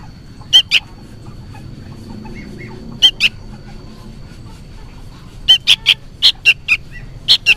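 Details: Fledgling sooty-headed bulbul calling loudly as if for its parent: two pairs of harsh chirps, then a quick burst of six or so rapid notes after a pause.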